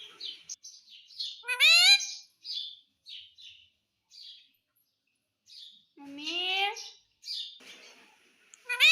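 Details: Ringneck parrot at home mimicking the word "mummy", soft breathy chatter leading into a long sweeping harmonic call, a quiet pause, then another drawn-out descending call and a final sharp note.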